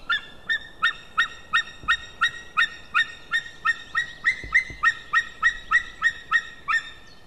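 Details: Male white-tailed eagle calling on 16 May 2016 around midday: a long, steady run of about twenty loud, yelping barks, roughly three per second, each with strong harmonics, over quiet background.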